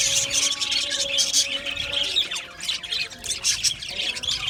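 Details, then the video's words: Australian budgerigar colony in an aviary: thick, high chirping and rasping warbles from many birds, squeaks roughly every second, over a faint steady low hum. "Budgie birds chirping sounds"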